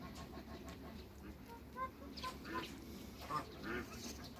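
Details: Hybrid Cayuga and mallard ducks meeting other ducks: a few short, nasal quacks come in the middle seconds. The quacks are spaced unevenly over a steady low hum of background noise.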